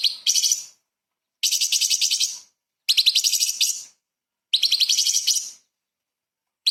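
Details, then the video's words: Light-vented bulbul performing 'tembakan' bursts as training song for murai and kacer: high, rattling trills about one second long, repeated four times with pauses of roughly half a second between them. "CUCAK CUNGKOK SUPER GACOR ! Full Isian TEMBAKAN ISTIMEWA BURUNG KECIL Untuk Masteran Murai Kacer"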